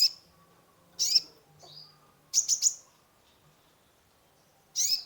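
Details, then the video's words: Song of a sunbird (kolibri ninja) played as therapy for a stressed cage bird: shrill single chirps, a soft descending note, then a rapid triple stutter of high notes, another chirp at the end. "Terapi pancingan konin gacor full isian mengatasi burung stress !!"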